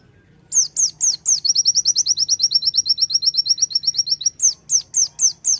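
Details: Konin (Sunda white-eye) singing hard in 'tembakan' style: several loud slurred notes, then a long, fast, steady rattle of shrill chips for about three seconds, ending with more spaced slurred notes.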